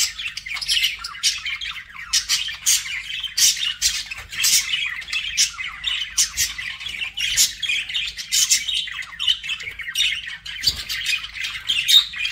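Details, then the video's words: Lively budgie chatter made of quick, clipped chirps and rough warbling phrases, steady and unbroken for the whole stretch. "BUDGIE SOUNDS"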